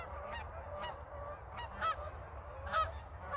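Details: Canada geese flying in flocks over north Idaho in the Pacific Northwest in a snowless winter, moving back and forth: distant nasal honks, a few spaced about half a second apart, over a steady low rumble.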